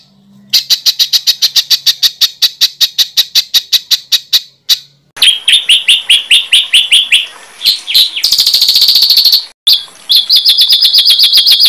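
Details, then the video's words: Songbird master recording for training contest birds, with varied fill material: long series of rapid high chirps, a break, then buzzy rattling phrases, a harsh scratchy burst and a closing fast trill, with abrupt cuts between sections. "SUARA BURUNG MASTERAN BURUNG LOMBA"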